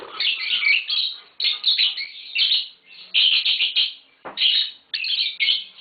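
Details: Green Fischer's lovebird pair chattering almost without pause, a dense run of high, rasping chirps and twitters in quick bursts.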